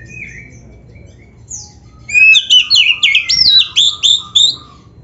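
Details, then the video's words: Black-breasted oriental magpie-robin singing constantly, a song full of varied phrases: a soft falling whistle, then loud, looping, sweeping whistles repeated in quick sequence, over a low steady hum. "MASTERAN BURUNG KACER GACOR FULL ISIAN MEWAH"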